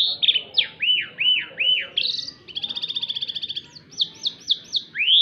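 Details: White canary singing loudly in the twisting melintir style: looping slurred whistles, a rapid rattling trill and strings of bright rising notes, over a soft murmur of background noise.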